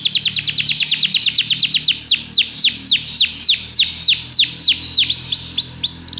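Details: Belgian canary singing to draw other canaries into song as training. Rapid rolls of high, steeply falling whistled notes give way to slower, broader downward sweeps, repeated about four times a second throughout.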